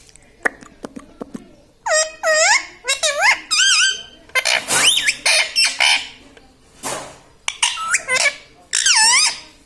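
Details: Pet parrot, said to speak words such as mithu, mummy, papa and radhe radhe, utters a run of rapid harsh voice-like syllables in short bursts, some with rising and falling tones, after a few faint clicks.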